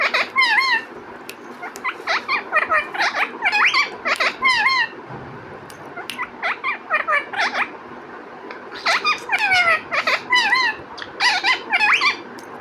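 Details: Parrot talking: bursts of nasal, harmonic-rich chatter with swooping and rising syllables, grouped into clusters of quick word-like sounds with gaps of about a second between groups, with no other clear sounds behind.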